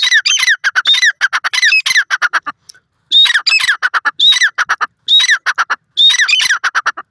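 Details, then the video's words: Francolin calling: loud, harsh, squawky notes in rapid bursts of about four to six, each with a sharp rising-then-falling ring, phrases repeated roughly every second with short gaps, no other sounds. "milan teetar awaz,only teetar sound,teetar awaaz video"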